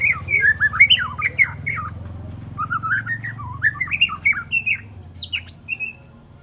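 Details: Three-month-old white-rumped shama, a young speckled bird, practising song with sharp loud phrases: varied slurred whistles and chattering notes rising and falling, ending with high thin whistles, over a low indoor hum.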